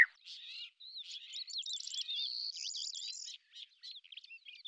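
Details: Hunting lesser grey shrike in Azerbaijan, starting with a sharp note, then a jumbled, rapid stream of squeaks, clicking rattles and a buzzy stretch before trailing off into scattered chirps.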